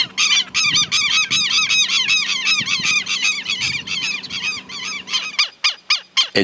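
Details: Feeding Greyish saltator recorded in 2022 at Esperanza, Santa Fe, Argentina, giving a loud, dense run of rasping, buzzy notes in quick succession that thins into a few separate calls before stopping, with a low steady hum beneath.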